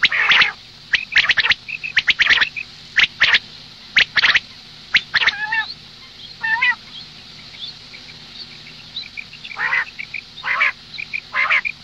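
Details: Female common quail calling in the morning. Loud, scratchy bursts in the first seconds are followed by softer wavering nasal notes and scattered high pips.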